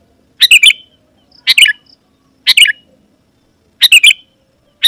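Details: Sooty-headed bulbul singing briskly to lure wild birds of its kind; four bubbly, slightly descending phrases of three quick notes each, separated by roughly a second of silence.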